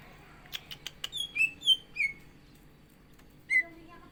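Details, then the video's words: Greater green leafbird (cucak ijo), caged and singing fully before a contest, utters rapid clicks that flow into a run of bright slurred whistles, then one final whistled note after a pause. "CUCAK IJO GACOR ISIAN"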